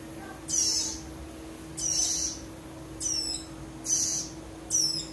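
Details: Young prinia nestlings, with sex told apart by voice, call in sharp high bursts every second or so: some rasping and harsh, others clipped descending stacked notes, with a faint constant hum beneath.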